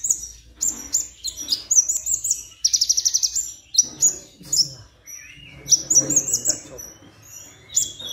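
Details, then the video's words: Plain-throated sunbird singing a mix that holds copied phrases of other birds. Very high, thin chirps and sharp notes pour out in quick varied runs, including a fast buzzy rattle, with lower softer tones beneath. "Masteran Konin"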